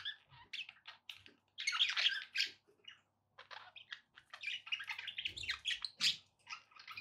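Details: Domestic budgies chattering against background noise: continuous run of high, scratchy chirps and squawky notes, a loud harsh burst early on, a brief pause, then steady rapid warbling to the end.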